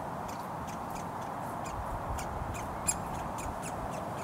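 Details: Woodpecker fledgling in a roadside front garden in Surrey, June 2022, calling hungrily for food: a quick series of short, hard, ticking notes, one louder, over constant road noise.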